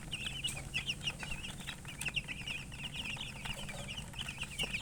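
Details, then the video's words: Baby chickens chirping: a dense, continuous stream of short, high peeping notes from several chicks, overlapping rapidly with brief downward-sliding chirps, over a low steady background hum. "Baby "Chicks Chirping" Sound"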